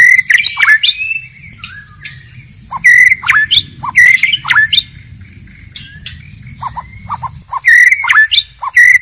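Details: White-rumped shama in the wild, forest habitat, delivering varied song: short bursts of mixed whistles and harsh, scratchy notes separated by brief pauses, with a steady high background hum.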